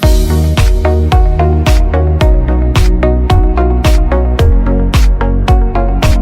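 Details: Upbeat electronic dance music with a steady thumping beat, loud bass and bright percussion hits roughly twice a second; no animal voice is heard.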